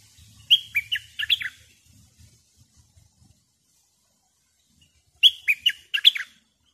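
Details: Decoy bulbul kept for luring wild birds: two bright, bubbly phrases of about six quick warbled notes each, rising and falling, separated by a few seconds of quiet with faint low thumps.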